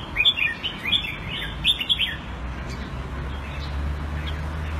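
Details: Thai-style caged red-whiskered bulbul in Singapore, 2018, sings a loud run of rapid chirpy whistled notes for about two seconds, then falls mostly quiet over low humming noise.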